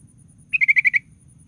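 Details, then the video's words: [7, 'Sooty-headed bulbul used as a lure to provoke other bulbuls: a fast series of six identical chirps, steady in pitch and evenly spaced, over a faint low rumble.'] "DENGAR SUARA BURUNG KUTILANG GACOR"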